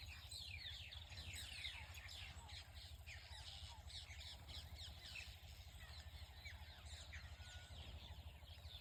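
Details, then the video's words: Morning birdsong in a village: dense, fast chirping and repeated sharp descending notes from several birds, continuous across the recording, with a constant low hum beneath. "Morning View with Birds singing"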